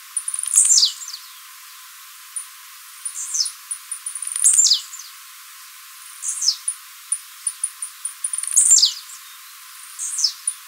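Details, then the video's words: Blue-black grassquit singing for song training, recorded live: sharp high buzzy phrases sweeping steeply downward, repeated about every two seconds, separated by short thin high ticks. "TIZIU MATEIRO CANTANDO PARA TREINAMENTO DE FIBRA"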